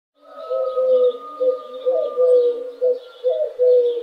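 A dove gives soft, low cooing notes in a steady run, several rounded coos every couple of seconds, with a faint higher tone held underneath.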